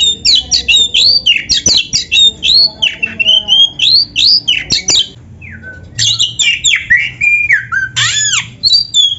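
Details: Oriental magpie-robin singing actively, a training recording meant to prompt kept magpie-robins to sing. Fast, nearly continuous chain of sharp chirps and whistled, down-slurred phrases, brief lull midway before dense varied notes return.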